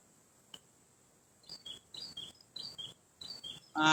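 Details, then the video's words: At a river, a prinia gives short high two-note phrases, a sharp upper note dropping to a lower one, repeated in three bursts, with a steady insect hiss throughout. "Nah, itu kita dengar suara burung perenjak tuh Pak ya. Nah, itu ada, coba mungkin teman-teman dengar itu suara burung perenjak ya."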